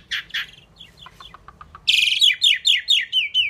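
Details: Talking Indian pied myna, able to say 'Mynah', giving two harsh notes and soft ticks, then a loud raspy burst followed by a rapid series of descending whistled slurs.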